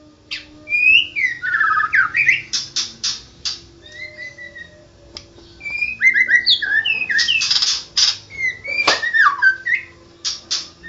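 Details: White-rumped shama, national champion songbird, singing a rich mix of sweeping whistles, twittering runs and harsh buzzy bursts, varied and fast, with a short quieter stretch midway.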